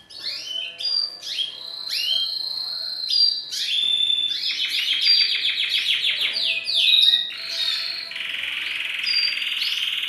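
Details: Male canary performs courtship song for a female to bring on mating posture; varied whistled phrases, sharp chirps and a fast rolling trill, ending in a dense buzzy roll.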